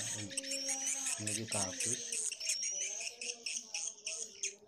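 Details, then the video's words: Edible-nest swiftlets, a combined colony call and mating call used as a lure: dense, high, buzzy chirps repeated rapidly, with a man talking over the first two seconds. "sp koloni walet birahi"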